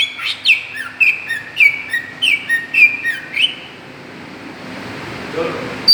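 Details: Provoking lure call of a greater green leafbird: about seven sharp whistled notes in a quick, uneven run, each dropping in pitch, then a quiet pause before a final faint note.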